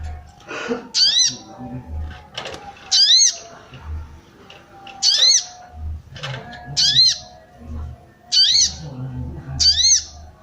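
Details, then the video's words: Female sooty-headed bulbul calling to arouse males: short sharp whistled notes with a rising-falling sweep, given in bursts roughly every one to two seconds, with low thumping and rustling between calls. "SOGON BETINA MANCING BIRAHI SOGON JANTAN"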